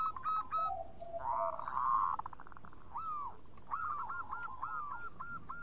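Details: Clear-voiced local zebra dove singing vigorously: a few short coos and a low drawn-out tone, a blurred rolling phrase, then a string of about eight arched, evenly repeated coos, against light background hiss.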